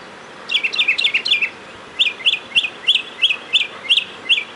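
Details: Outside a door on 31 March 2010, a mockingbird sings a fast burst of paired slurred notes, then a steady series of eight clear chirps about two per second.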